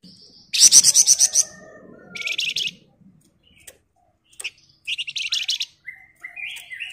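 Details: Flamboyan, the Sunda bush warbler, singing nonstop in the ngebren rapat style: a loud, piercing high trill, then a buzzy rattling run, clipped notes, and a second trill before short rising whistled notes close.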